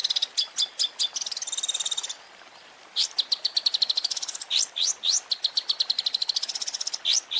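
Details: Long-tailed shrike (cendet) masteran 'isian' fill: sharp high ticks and a whistled trill, a short gap, then rapid upslurred notes and buzzy rattles.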